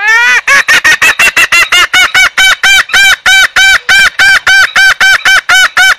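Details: Green junglefowl lure recording for trapping: a rapid, even run of loud, nasal, harmonic notes, about three or four per second, starting with a rising note and continuing without pause.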